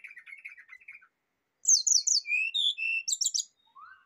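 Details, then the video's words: Rufous-chested flycatcher song for luring and therapy: a soft rippling trill of repeated notes, a pause, then loud buzzy high phrases mixed with lower whistled slurs, ending in a brief rising note. "PANCINGAN DAN TERAPI SRDC AGAR CEPAT BUNYI BONGKAR ISIAN"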